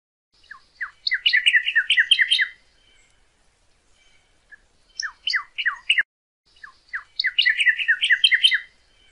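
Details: Training song for captive birds from a northern cardinal: three bursts of quick, sharply dropping whistled notes, repeated in clusters with quiet gaps between them.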